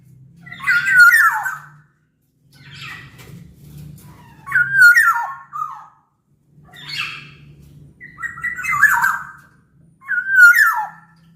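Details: Captive black-naped oriole from Sumbawa, a strong local singer used as a master voice to coax silent orioles: fluty, down-slurred whistled phrases with harsh edges, repeated at irregular gaps about every two seconds, with intermittent low humming.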